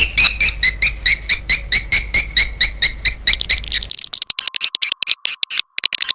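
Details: Edible-nest swiftlet calling sound: steady repeated two-tone chirps, a little over two each second, then quick sharp clicking and scattered buzzy twitters.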